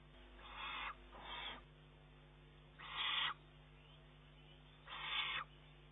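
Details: Begging juvenile Eurasian eagle-owl, June 2011, forcing its mother to fetch more food as soon as she appears. Five harsh hissing rasps: an opening pair in quick succession, then two louder ones two seconds apart.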